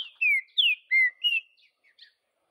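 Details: Wild green-winged saltator delivering four bold whistles, long and slurred downward then up, tapering into a few faint notes.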